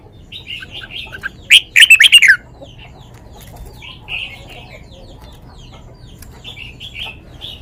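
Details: Red-whiskered bulbul in a cage sings a sweet lak wai style song, a loud quick burst of five or six bright chirped notes in the middle, with soft twittering from other birds before and after.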